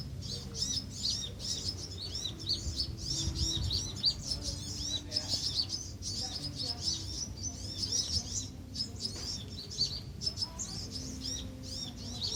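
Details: Van Hasselt's sunbirds in a colony at Pulau Perhentian, Terengganu, Malaysia, June 2017, recorded with a mobile phone or compact camera; continuous high thin chirps and twitters from several birds, with faint low background hum and voices.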